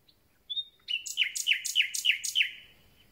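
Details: Common nightingale, just returned and starting to sing, a long thin whistle followed by five evenly spaced, loud, sharp repeated notes, each falling in pitch.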